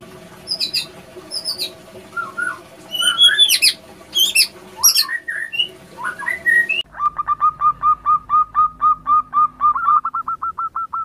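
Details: Female zebra dove calling a male, used as a lure: after chirpy, varied calls from other birds in the first half, a fast run of short, clipped, even notes follows, repeated about three times a second.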